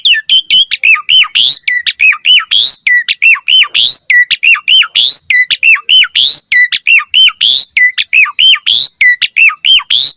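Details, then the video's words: Asian pied starling in lively song, a lure meant to draw a quick answer and to tutor birds; a tight, fast repeating phrase of hooked whistles and harsh rasping notes, cycling about every second. "Pancingan Jalak Suren Gacor Cepat RESPON Auto NYAUT Buat Masteran Suara Burung Jalak"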